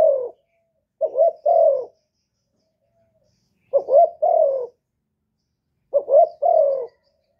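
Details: A Vietnamese decoy spotted dove, from Cà Mau, calls wild doves with a three-part coo: a short note, a quick upturned note and a longer falling coo. The phrase is repeated three times with pauses of several seconds.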